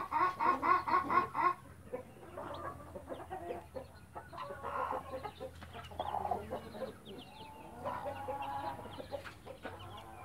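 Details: Blue hen with young chicks in a backyard flock; a quick run of loud clucks opens, then quieter scattered clucks and high chirping chick peeps over a low hum.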